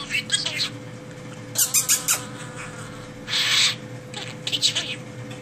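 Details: A budgerigar standing on one leg and "chatting" gives short, scratchy, high bursts, a quick cluster of clicks and squawks, then softer warbling phrases, in a quiet room with a steady faint hum.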